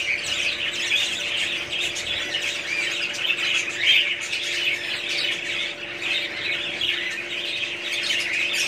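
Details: Continuous budgie chatter, many overlapping twittering and squawking notes forming an unbroken high-pitched babble for the whole stretch, with a faint steady hum behind it.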